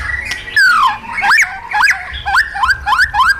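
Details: White-rumped shama, a caged bird used in training, singing a wild-style song: loud whistled notes sweeping down and up, a long descending slur, then quick rising phrases repeated about twice a second.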